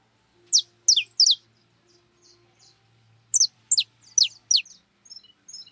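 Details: High chirps ring out from wild birds eating cracked corn at a feeder. Three sharp descending notes are followed by soft twittering and another quick series of falling chirps, over a low steady hum.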